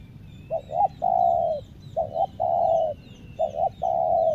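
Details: Lombok decoy spotted dove luring wild forest doves, repeating its coo phrase three times: two quick short notes, then a sustained mellow note. Faint high chirps of other birds sound in the background.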